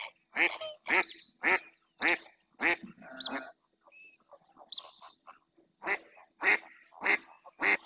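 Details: Mallard hen calling over and over in the Doñana marshes of Spain, filmed on a live camera; a run of coarse quacks, a short pause filled with softer chatter, then the steady quacking resumes.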